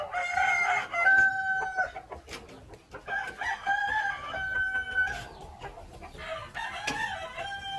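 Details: Rooster crows overlap one another in quick succession, bright, wavering cock-a-doodle-doo phrases with held, sliding final notes, leaving almost no quiet between bursts.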